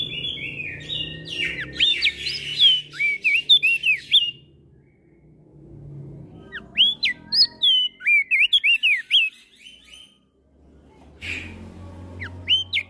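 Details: Two bouts of loud, clear whistling from a Javan grey-throated white-eye singing ngeplong style in exchange with other birds, each bout a fast string of up-and-down slurred notes, separated by a quiet gap, with a low hum throughout.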